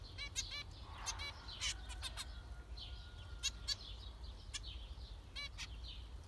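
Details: Several zebra finches producing short honking, nasal harmonic calls in quick pairs and runs, with a thin steady whine in the middle and continuous low background hum.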